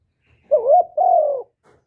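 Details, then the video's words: Spotted dove (cu gáy) giving a 'thổ thúc' style coo. A single low, husky phrase: a short wavering note, a brief break, then a sustained, gently falling note. It is recorded cleanly and close. "tiếng cu gáy giọng thổ thúc và gáy gọi"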